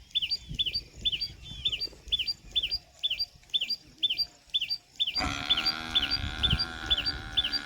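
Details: Common tailorbird calling in Ranthambore National Park, Rajasthan, India. The call helps it communicate and warn of danger. A sharp, high note repeats about three times a second, steady throughout, and a loud tonal humming sound joins partway through.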